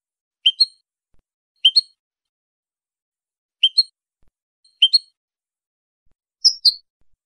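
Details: European goldfinch in clean song style, uttering sparse paired high chirps, 'tswit-it', spaced one to two seconds apart, ending on a sharper squeaky note, in complete quiet.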